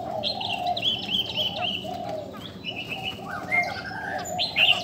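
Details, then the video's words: Female Chinese hwamei, said to strongly excite male birds, singing a series of repeated level whistled phrases with short gaps, ending in a sharp high note. A continuous low droning tone runs beneath. "KHƯỚU DA BÒ MÁI SIÊU KÍCH TRỐNG"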